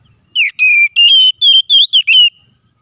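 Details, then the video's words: White-rumped shama fighting song used to provoke other shamas into anger; a series of about seven loud, clear whistled notes, each held briefly with slight rising or falling slides, spaced evenly over two seconds. "KACER GACOR NGEPLONG TARUNG KONSLET❗PALING AMPUH BUAT PANCINGAN KACER AGAR EMOSI!"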